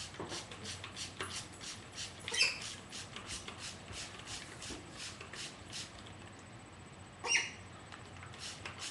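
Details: A pet rose-breasted cockatoo (galah) playfully bathing gives two short, sharp screeches about five seconds apart over steady splashing and fluttering of water.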